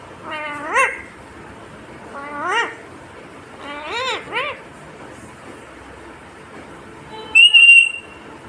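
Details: Talking green Indian ringneck parakeet: three separate bursts of harsh, harmonic, upward-sweeping vocal sounds spaced a second or two apart, then a bright high whistled note near the end, over a steady low hiss.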